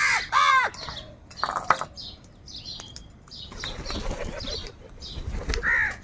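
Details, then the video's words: Crows crowd together, and two harsh, ragged caws open the scene. Wingbeats and scattered thin chirps follow, and one more caw closes it. The scene is from a large gathering of crows fighting for food. "Huge numbers of crows crowing and crying sounds | crow sound of kaka | কাকের ডাক Crow sounds"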